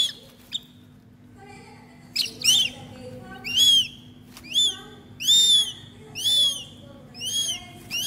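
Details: Captive young northern goshawk being hand-fed, giving loud, high whistled calls with an arched, rising-then-falling shape, repeated roughly once a second, with faint handling noise and a low steady hum behind.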